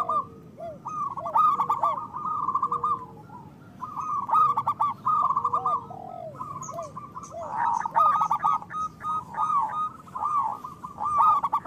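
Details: Zebra doves of a local type singing together to encourage lazy doves to sing: rippling, rapid cooing phrases in irregular bursts, softer curved coos between them, several birds overlapping.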